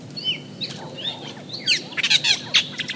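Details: Group of Austral Blackbirds from Chile giving their complex vocalizations. Long sliding whistles open, then a busy mix of quick chirps, rising and falling slurs and harsh bursts, several voices overlapping against faint background noise.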